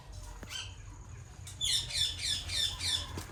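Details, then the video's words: Parrot chirping, with a fast run of about seven high, bright chirps repeated evenly after a quiet first half, over soft low background hum. "Natural Parrot Sounds | Parrot Chirping Sounds"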